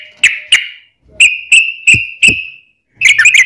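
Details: Short stretch of yellow-vented bulbul lure song: two quick notes, then four clear whistled notes about a third of a second apart, closing with a brief bubbly flourish.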